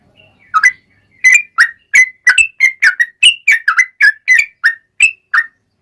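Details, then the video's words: Yellow-vented bulbul in long, vigorous ropel-style song used as a lure to make other bulbuls sing: after a soft start, crisp bubbly chirps follow one another rapidly and evenly, with little other sound. "trucukan gacor ROPEL PANJANG buat pancingan trucukan agar bunyi"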